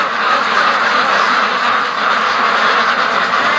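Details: A crowded chorus of free-range ducks, part of a flock of more than 650 on their daily run to or from the lake, makes unbroken, rasping, overlapping quacks throughout.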